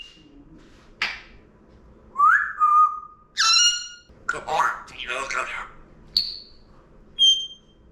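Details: Pet Congo African Grey parrot, a male kept indoors with a cage, mimicking a cough it recently learned: short harsh breathy bursts mixed with clear whistled notes, rising and falling slides, and brief squeaky tones in a small room.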